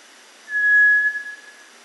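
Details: A cinereous tinamou (Crypturellus cinereus) song: a single pure, steady whistle at one even pitch, held about half a second, then fading out quietly against a soft background hiss.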